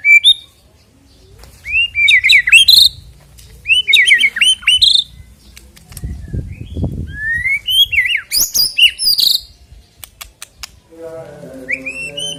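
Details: White-rumped shama, used as a singing prompt before a songbird contest; repeated bursts of rich whistled and fluty phrases with sharp clicks, a low rumbling noise midway, and a closing stuttered rattle.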